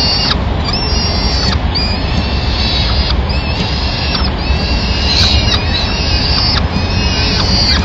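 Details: Female peregrine falcon coming into a Madrid nest to find food remains for the chicks, 27 April 2016; repeated whining, harmonic call notes, each about a second long, backed by steady low-pitched background rumble.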